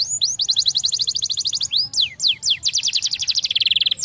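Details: Starblue colour canary, pleasant song for teaching young canaries: a rapid trill of repeated high notes, a few sharp down-slurred sweeps, then another quick trill ending in a high steady buzz.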